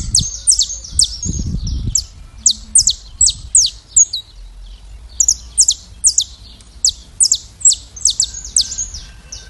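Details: Saffron finch in classic song, delivering long runs of bright, sharply descending high notes at a brisk, slightly uneven pace, with a brief pause midway. A dull low thump is heard near the start.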